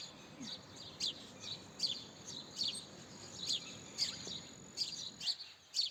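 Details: House sparrow chirping in short, high, slightly doubled notes, spaced irregularly about a second apart against a low, even hiss.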